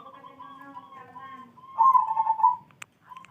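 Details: Zebra dove heard in the morning: a layered, wavering low tone gives way to one loud, rapidly trilled coo that fades into a level note, followed by a click and a short soft tone.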